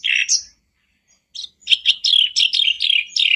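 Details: Black-browed reed warbler, a kept bird, recording used as a daily lure to trigger a caged bird into full song; a rich burst, a pause, then rapid scratchy chattering notes in quick succession.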